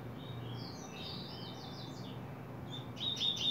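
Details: Coleiro opening its song, July 2024: a softer series of high slurred whistles and short upsweeps, then a sudden louder burst of sharp high notes at the end, with low background rumble.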